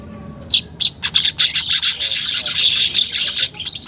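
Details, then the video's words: Weaver song used to coax caged weavers into singing: a few sharp chips, then a dense, buzzy, sizzling chatter of rapid high notes running for about three seconds, with quiet background hum. "pancingan manyar bahan agar cepat gacor"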